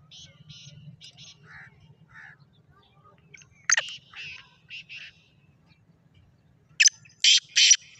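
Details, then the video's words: Black francolin, locally called Kala Sindhi teetar, recorded 14 March 2024; harsh, grating bursts in short groups of three to four notes, the loudest phrase near the end, with quieter scratchy notes between and a low hum beneath. "Kala Sindhi Teetar ki awaz"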